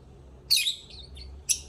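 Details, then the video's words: Lovebirds singing: two bursts of shrill, squeaky high chirps about a second apart, the first a rapid cluster with a short trailing twitter, over a quiet, low background hum. "Love Birds Singing"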